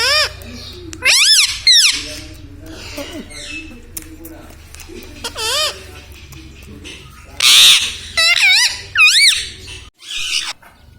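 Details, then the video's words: Pet parrot talking, said to repeat mummy, papa and radhe radhe; several loud, warbling, nasal utterances rise and fall in pitch between human voices, with background music playing throughout. "Mummy bolo mothu || mummy ka pyara tota || bolo mithu mithu"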